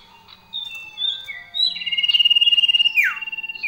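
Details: Common iora in gacor song: level whistles at varied pitches, then a fast even trill of rapid pulsed notes lasting about a second, ending in a downward-sweeping slur.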